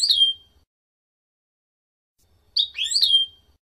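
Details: European goldfinch song for educating novice birds in the F.O.C.S.E code: a bright, drawn-out descending whistle, silence, then a buzzy, rising-and-falling twittered phrase with a faint low hum beneath.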